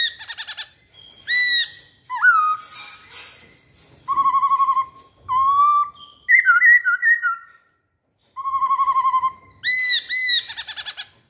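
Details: Masked laughingthrush singing a varied lure song of loud whistles, chattering bursts, low rapid trills and bright upward-sweeping notes, broken by short pauses.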